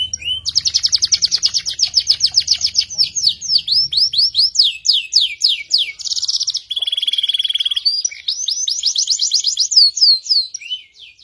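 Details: Caged F2 YS canary singing vigorously, a long sharp trill: rapid buzzy high notes repeated for several seconds, then varied downslurred whistles and a steady lower trill, with faint low hum underneath.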